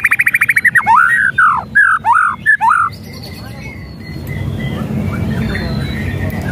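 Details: White-rumped shama song for provoking a lazy bird: fast rattling trill followed by several loud descending slurred whistles, then quieter faint notes over background noise.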